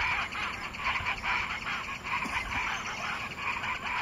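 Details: Wattled jacana (Jacana jacana jacana) recorded 27 September 2013 at Porto Jofre in Brazil's Pantanal: harsh, rasping notes repeated in quick, uneven bursts, about three every four seconds, with steady insect hiss behind.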